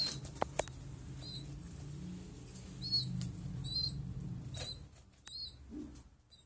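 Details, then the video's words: A young pigeon gives thin, high squeaks in short bursts about every second, over a low steady rumble with a few sharp clicks. "small pigeon sound"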